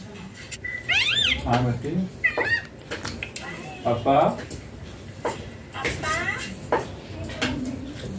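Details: Green baby Indian ringneck parakeet playing and being fed: a run of harsh, arching squawks and chattering notes mixed with people's voices talking nearby indoors.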